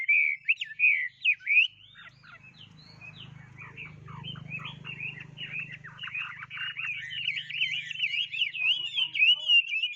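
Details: Bird pours out fast, chattering warbled song with a steady low hum in the background through the middle section.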